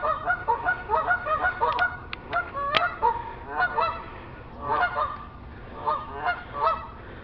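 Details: Geese walking along a neighbour's rooftop give a steady series of loud, nasal honks in quick clusters, with a few sharp clicks near the middle. The honking pauses and resumes in bouts.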